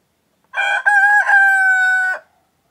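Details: Male chicken of a laying breed crowing, a call said to mark the change from night to morning. One long, loud, harmonic-rich cock-a-doodle-doo rises through short opening syllables, then holds a steady drawn-out note before ending abruptly, with silence around it.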